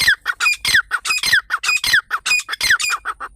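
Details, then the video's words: Grey francolin, or teetar, calling loudly in rasping, rhythmic phrases with shrill slurred squeaks, repeated quickly and continuously for over three seconds, presented as a partridge hunting sound. "Dakhni teetar Irani teetar Teetar ki awaz Teetar hunting sound Teetar Awaz Partridge hunting sound"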